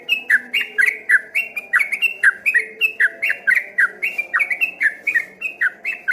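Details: Rapid 'ropel' song of a yellow-vented bulbul that sounded from afar like a straw-headed bulbul; bright, bubbling whistled notes tumble one after another, some slurred upward, others dropping, with faint background hum.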